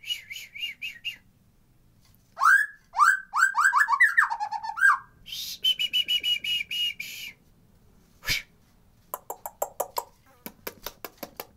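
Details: White-rumped shama lure recording of natural, unedited sound meant to get lazy birds singing and in breeding mood. Rich varied song: short whistles, then upswept slurred notes, buzzy phrases, a sharp click and fast rattling notes at the end.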